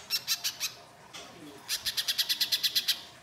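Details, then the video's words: Little spiderhunter, in coarse 'mbeset' lure song meant to prompt other birds to sing: four shrill high notes, a brief pause, then a quicker burst of about a dozen sharp chips. "Pancingan Pijantung Pisang Gacor Mbeset Kasar, Pijantung Bahan Langsung Nyaut Bunyi"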